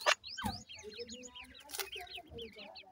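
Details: Many francolin chicks at feeding time give high, thin peeps that slur downward, overlapping in a rapid busy chorus, with a few sharp knocks and clatters in the background.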